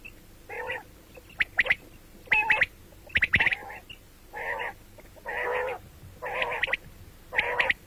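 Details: Morning and night calling of the common quail: mostly nasal, banded buzzy bursts alternating with sharp high double notes, about one phrase per second.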